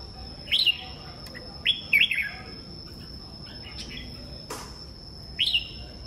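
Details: Red-whiskered bulbul singing in the morning, kept as a songbird: a run of four lively warbled phrases, two close together, and a single sharp click midway over a faint steady high hum.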